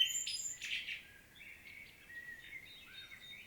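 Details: Common blackbird singing a powerful, detailed solo in Świnoujście, Poland, on 25 September 2022; a loud burst of fluty phrases mixed with high twittering fills the first second, then fades to faint distant notes.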